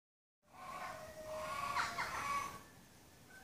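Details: Indian peafowl; honk; courtship call directed at a peahen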